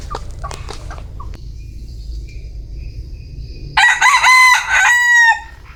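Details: Scattered clicks and faint high chirps, then a bantam rooster bursts into a loud crow of about one and a half seconds, strongly harmonic with a falling, drawn-out finish.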